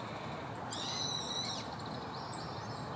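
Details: Male Siberian rubythroat, identified by its red chin; one clear ringing whistled phrase with a few quick notes mid-clip, followed by faint distant notes over steady background noise.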